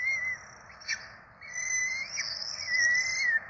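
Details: Peregrine falcon nestlings, four of them, begging while being fed at a Rome nest on 12 April 2024: drawn-out high whines broken by brief pauses, with sharp short upward flicks between the wails.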